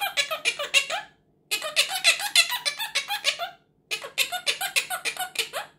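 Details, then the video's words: A Quaker (monk) parrot says "tickle tickle," chattering in rapid, squeaky, high-pitched bursts of several syllables a second, like mimicked giggling speech, in three runs separated by short pauses. "Teach Your Parrot to Say Tickle Tickle | Quaker Parrot Talking"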